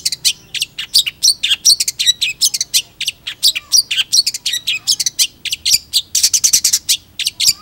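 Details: Long-tailed shrike in continuous, busy song: dense, very high twittering and chattering notes packed closely together with scratchy squeaks, barely pausing throughout.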